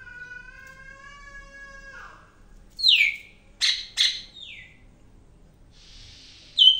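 A greater green leafbird gives loud, sharp, high downslurred notes in short bursts, after a steady droning tone and with a brief hiss between phrases.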